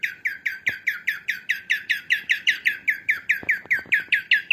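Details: Chattering of a female cockatiel, played to train cockatiels: a steady, unbroken series of rasping, downward-sliding chirps, roughly five each second, with a few soft clicks and taps underneath.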